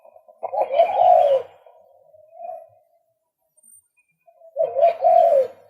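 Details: Male White-breasted Waterhen producing two loud, harsh, grating croaks separated by a quieter short note and nearly three seconds of silence.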